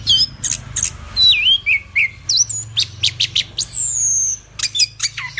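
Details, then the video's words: Orange-headed thrush, called anis kembang, giving a rich varied song of quick sharp clicks mixed with looping, dipping whistles and a long high falling whistle, over a faint low background hum. "Burung Anis Kembang Yang Super Gacor"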